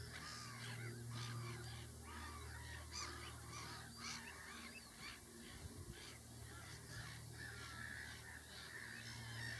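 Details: Lapwing parent with chicks: many wheezy, arching calls overlap in quick succession, some sliding up then down, over a steady low hum and rustling background.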